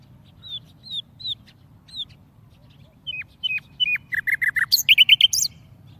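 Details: Warbler tamed in a cage gives spaced high falling whistles, then accelerating sharp descending chips building into a rapid bright trill; soft low background hum.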